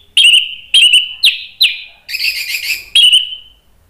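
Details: Orange-headed thrush, agitated, singing loud provoking song meant to trigger other birds: clear whistled notes repeated about every half second, each dropping and trailing off, with a buzzier warbled phrase in the middle.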